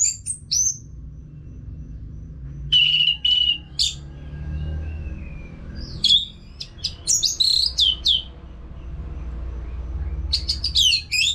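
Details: Orange-headed thrush song for encouraging caged birds to sing. Scattered bursts of varied warbles and a drawn-out falling whistle are separated by quiet stretches of low background hum.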